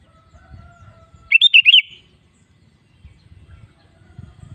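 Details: Sooty-headed bulbul, recorded as a singing lure for other bulbuls: one quick phrase of four or five bubbly, up-and-down notes, set against a faint steady tone and low background rumble.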